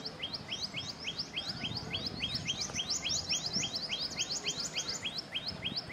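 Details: Common Tailorbird at Keoladeo National Park, Bharatpur, Rajasthan, India: loud, sharp, high notes, each sweeping up then down, repeated rapidly several times a second, two birds overlapping over a low background rumble.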